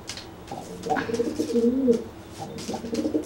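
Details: Dry pigeon cooing to intimidate a wet pigeon that cannot fly after bathing. One drawn-out, rolling coo is followed by a shorter, softer phrase.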